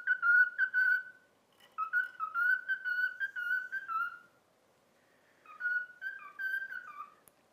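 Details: Pet cockatiel whistling the learned tune "If You're Happy and You Know It", taught over about a week: clear, slightly wavering whistled phrases of short repeated notes, a pause, then a final rising-falling phrase, with no other sounds.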